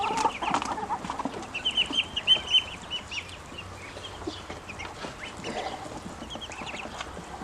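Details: Hungry young ducklings give loud, high, rapid peeps at first, which then thin into softer chirps against a faint hum.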